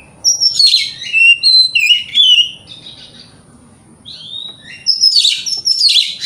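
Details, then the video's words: Provoking song of an Oriental magpie-robin, meant to stir other magpie-robins: a run of clear whistled notes stepping up and down, a quiet gap, then renewed high buzzy whistles. "30 Menit Dengarkan Pancingan Kacer Ini - Kacer Jenis Apapun Gak Kuat Nahan Emosinya"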